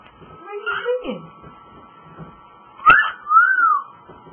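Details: Pet cockatiel talking, mimicking the greeting "Hallo" with a wavering spoken-sounding phrase, then a sharp click and a smooth arched whistle, indoors with steady hum.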